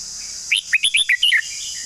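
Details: Long song of a red-whiskered bulbul: one lively phrase of about seven loud, slurred whistles, each note bending up or down, delivered in under a second over a steady high-pitched background buzz.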